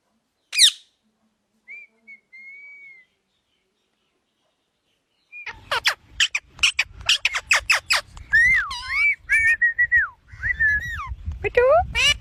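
A parrot gives a sharp squawk, then a long pure whistle, and then bursts into a rapid string of clicks, chatters and warbled, speech-like whistles.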